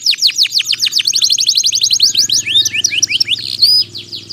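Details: Hard-singing canary, played to stimulate canaries that have gone quiet: rapid, loud, downward-sweeping notes run into a fast trill, then scattered twisting whistles and a short rising note.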